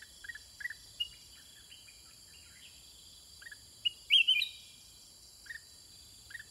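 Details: Caged Sooty-headed Bulbul in a long exchange with wild birds; scattered soft chirps build to one loud, rich whistled burst, then quieter notes again.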